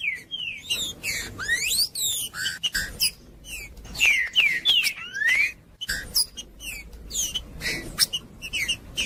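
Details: Green-winged saltator (trinca-ferro) singing at length, used to warm up cold birds and to train young ones: loud clear whistled phrases of rising and falling slurs, some steep upward sweeps, delivered in bursts separated by short pauses.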